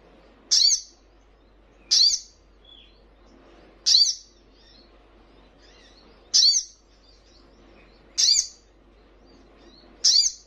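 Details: Little spiderhunter calls for training caged birds to answer: six sharp, high chips, each sliding downward, spaced roughly every one and a half to two seconds.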